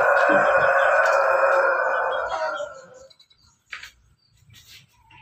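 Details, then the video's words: Rooster bred from Pelung, Bangkok and ketawa chickens, backyard, delivers one long sustained crow lasting nearly three seconds, steady then slowly fading, followed by a couple of faint short notes. "ayam pelung Bangkok ketawa"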